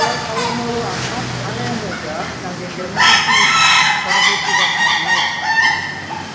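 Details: Laughing chicken (Ayam Ketawa) roosters at a PAKEB Bogor caged training session, Indonesia: after low murmuring, a loud crow starts abruptly and runs for about three seconds as fast, repeated harmonic 'ha-ha' syllables.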